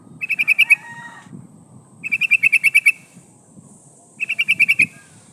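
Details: Decoy call of a female sooty-headed bulbul in breeding condition summoning a male; three evenly spaced bursts of six or seven quick chirps over a steady low background rumble.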